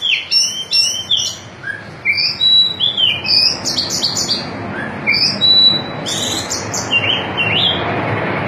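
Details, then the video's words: White-breasted oriental magpie-robin (kacer dada putih) singing in the rambling ngobra style: varied high whistles, slurred and twisting notes in short phrases, over steady hissing background noise. "Burung kacer dada putih ngobra gaya muter muter"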